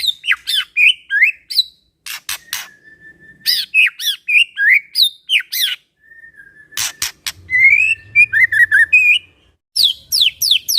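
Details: White-rumped shama singing in gacor style, used to coax other shamas into answering, pours out varied whistled phrases, sharp clicks and chattering notes, with a few long steady whistles between bursts.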